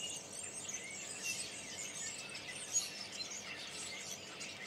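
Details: Thousands of migrating common starlings newly arrived from Spain in Berry, France, in March 2012 make a dense, unbroken wall of high, wheezy chatter and squeaky whistles, with one sharper note near the end.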